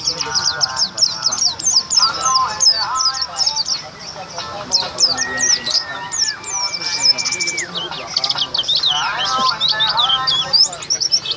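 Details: White-eye recorded before a singing contest at Bacan Enterprise, where it went on to win three times; rapid, dense, high twittering chirps pour out continuously, with a long steady whistle midway and voices and mixed mid-pitched sounds beneath.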